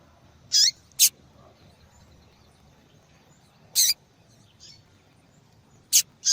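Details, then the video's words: A female yellow-bellied seedeater calling persistently, used to encourage males to sing: two quick high chirps, a pause of nearly three seconds, then more sharp high notes and a faint soft one, over low hiss. "Fêmea de Papa capim Chamando Muito !"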